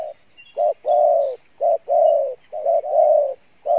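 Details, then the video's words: Spotted dove cooing in the 'Pha Bài Lối' song style, noted for a good voice: low, hollow coos of short and drawn-out notes, about one per second, in a steady phrase. Faint twittering from other birds sits above. "Đồng Pha Bài Lối , tốt Giọng , Gù khá"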